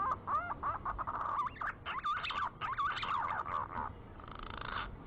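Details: Green pigeon giving a series of wavering, bent whistles that loop up and down, delivered in quick bursts for about four seconds before a softer buzzy tone ends the sequence.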